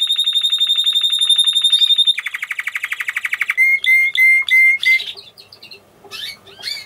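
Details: A white Spanish Timbrado canary sings: a fast, steady high rattling trill, then a lower buzzy rolled trill, a series of clear rising whistled notes, and scattered chirps.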